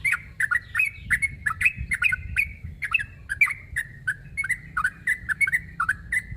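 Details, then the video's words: Sooty-headed bulbul calling a rival, giving a steady stream of short, bright chirped notes, often paired, repeated several times per second without a break over a faint low background rumble. "Suara burung trucuk narung memangil lawan"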